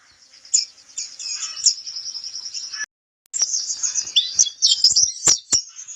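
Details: High, thin warbling twitter from a white-eye, used as a training recording, running steadily, pausing for a short silent gap, then resuming with busier chirps and crisp ticks.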